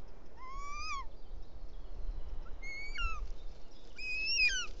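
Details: Young Bonelli's eagle in Els Ports Natural Park, Catalonia, on 19 June, begging its mother for help eating a toad the father delivered, before the female feeds it: three thin, whistled squeals, each falling sharply, over low wind rumble.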